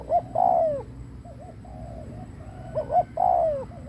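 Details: Spotted dove used as a decoy, cooing to attract others: two short-long coo pairs with falling long notes, separated by soft wavering purrs, over low background hum.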